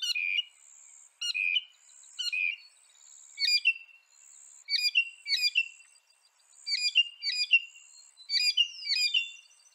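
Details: Northern mockingbird singing, a bird of North America: varied phrases of sharp chirps and short downslurred whistles, each phrase repeated two or three times before switching, with brief pauses between bursts.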